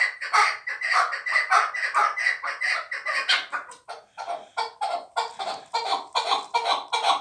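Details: A chukar partridge kept for fighting, hatched last year, calls in a long, dense run of raspy chucking notes. The run turns into separate, sharper calls midway.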